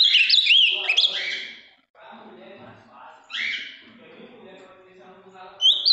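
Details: A large, deep-blue caged ultramarine grosbeak from Minas Gerais, praised for a very firm song, gives bright whistled, warbling phrases at the start and middle, with a quiet voice murmuring in between.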